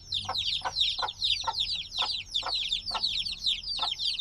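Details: Few-days-old black chicks, still dependent on maternal warmth, peeping without pause: high piercing downward chirps overlapping densely, with regular soft knocks roughly twice per second underneath.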